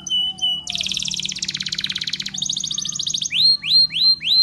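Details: Training song of a Spanish Timbrado canary, with short whistles, then a long metallic rattling trill that shifts pitch in stages, ending in four loud rising-and-falling curved whistles about a third of a second apart.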